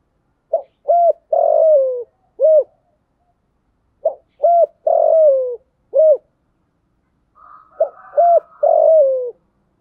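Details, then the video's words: Decoy spotted dove calling to lure wild doves: a four-part coo phrase of short hooted notes and a long falling drawn coo, given three times at roughly three-second intervals, the last overlapped by a second cooing bird. "chim cu mồi gáy gọi, tiếng chim cu gáy kích bổi mới"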